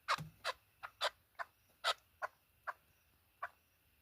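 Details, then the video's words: Chukar partridge giving sharp, clucking 'chuk' notes, about nine in four seconds at an uneven pace, against a quiet background; used as a partridge hunting call. "Keklik sesi"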